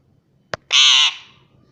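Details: Pet ring-necked parakeet, kept at home and taught to say the word "mummy": a brief click, then one harsh, raspy, buzzing call lasting under half a second that fades quickly into a quiet room.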